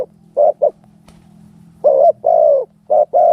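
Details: Two quick coos, a pause, then a loud stuttered coo and a longer drawn coo with a slight upward inflection, from spotted doves fighting.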